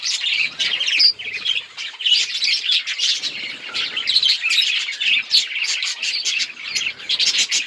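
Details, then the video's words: Budgies recorded on October 26, 2023: a dense, continuous chatter of high, scratchy chirps and warbles from several birds overlapping, with brief louder squeaky notes rising above the steady twittering throughout. "Budgies beautiful colors and chirping sounds"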